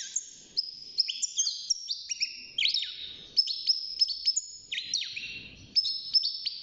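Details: Caged young European goldfinch, about six months old, starting to sing: a lively, high twittering stream of slurred notes and quick trills with falling glides, and faint low background rustling.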